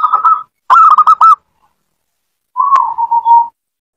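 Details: Lure recording of a zebra dove for a pet bird that will not sing: a short rolling coo, then a loud stuttering burst of four or five notes, a pause, and a lower, smoother sliding coo.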